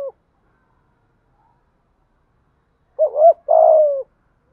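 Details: Spotted dove from Đồng Nai, Vietnam, giving a lure coo: after a clipped note and near-silence, one phrase of a short wavering double note followed by a longer mellow, slightly falling coo.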